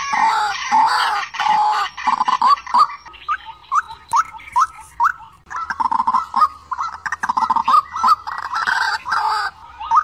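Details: White-breasted waterhen calls, a lure recording for trap speakers: harsh, nasal notes repeated in rapid bursts with short pauses, several overlapping, loud and dense throughout.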